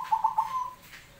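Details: Zebra dove (perkutut) in full song: a short, quick series of soft, ringing coos running into a steady, level trill that fades out.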